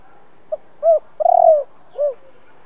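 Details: Spotted dove cooing, a recording made to stimulate wild-caught doves into singing: a short note, then low hoarse coos, a rolling stuttered middle coo, and a final drawn-out coo over about two seconds, with quiet background.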